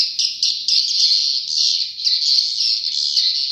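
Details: Swiftlet chatter: high, shrill twitters packed closely together. The sound swells and dips in short bursts about every half second.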